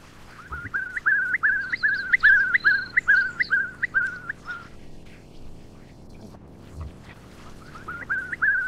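Eastern curlew giving a fast run of about a dozen rising, whistled notes, then a pause and a fresh series. Faint higher chirps from another bird are also heard.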